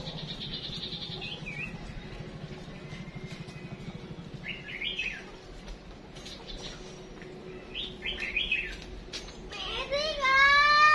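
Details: Female chim chuyền songbird giving decoy calls meant to spur males into singing: short high whistled notes and trilled bursts near the end, with a low steady hum underneath.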